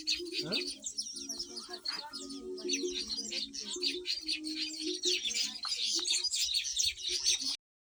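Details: Nest-building black-winged weavers on a homestead, stripping sugarcane leaves for trees nearby: thick, high, twittering chatter from many birds with a low steady hum beneath, cutting off suddenly before the end.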